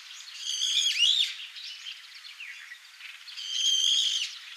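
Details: Wild Brown-eared Bulbul, Taiwan subspecies, recorded on Yonaguni Island, giving two loud, harsh, piercing calls about three seconds apart, the first bending up and down in pitch, with faint chattering birds between them.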